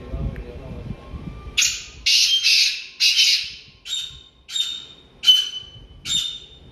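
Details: Black francolin, known locally as Kala Teetar, state bird of Haryana, India: about eight harsh, rasping, grating notes begin after 1.5 seconds. The early bursts are longer and bunched together, the later ones are shorter and spaced evenly. A faint low rumble is heard at first.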